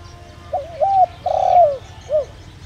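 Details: Spotted dove kept as a decoy, singing the 'đồng rặc' voice to stimulate other birds. One clean phrase: two short coos, a long tremulous descending croo, then a soft final coo.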